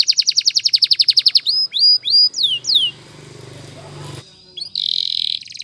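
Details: Canary song used for training: a fast run of sharp repeated chirps, then several loud down-slurred whistles, a gap with some low noise, and a closing high buzzy roll.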